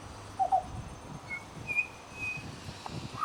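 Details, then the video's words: Mimicking pied butcherbird at a bird sanctuary gives scattered brief whistles: a low paired note, then higher thin whistles and a mid-pitched one at the end, with quiet rumbling background noise. "Amazing mimicry by Pied Butcherbird"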